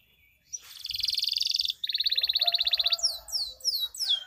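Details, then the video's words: Canary song used as a lure to get silent canaries singing: a buzzy rapid trill, then a lower fast rattling roll, ending in a series of sharp descending whistled sweeps. "Pancingan Ampuh Kenari Macet Bunyi" ~cuit cuit sambung ngerol durasi panjang"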